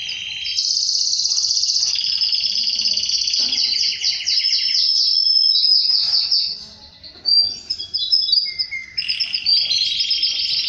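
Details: Canary song tied to mating with its female: long, loud, high rolling trills, shifting between fast rattles and clear whistled notes, with a short pause before bright whistles and trills resume.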